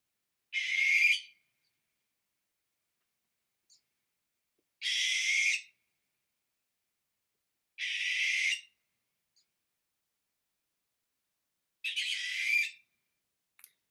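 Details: Barn owl (Tyto alba), a species of Portage County that hunts in complete darkness, calling at night: four long, harsh, hissing screeches, each nearly a second long, spaced three to four seconds apart, with no hooting.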